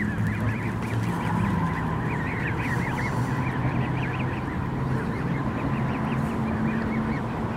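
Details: Canada geese with goslings, recorded 23 May 2014: a steady run of wavy, rising-and-falling high peeps, several per second, over a constant low rumble and droning hum.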